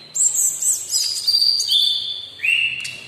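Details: Singing local Sumatran laughingthrush delivers a long, clear, high whistle that steps down in pitch in stages, finishing with a lower drawn-out note and a short sharp click.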